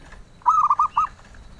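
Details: Zebra dove, a bird sought by collectors, gives a sweet cooing phrase: a longer opening coo followed by three short, evenly spaced notes, against quiet low noise.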